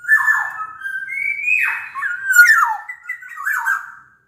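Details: Sumbawa black-naped oriole in full song, used as a lure to prompt reluctant orioles into singing: a continuous flowing whistle that rises, holds, then drops and wavers through several linked slurred notes.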